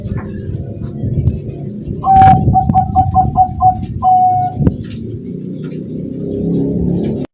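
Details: Zebra dove at a house in strong wind, giving a run of clipped, evenly spaced coos on a constant pitch, then one longer note, against heavy roaring wind noise.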